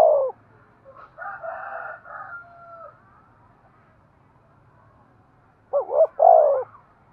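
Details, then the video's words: Cooing of a spotted dove, a call said to stimulate breeding. Opens with a coo, then a blocky, crowing-like drawn-out phrase, and ends with a loud pair of low, bending, hoarse coo notes. "Tiếng chim cu gáy thúc gù cực đỉnh/ chim cu gay kich boi hieu qua"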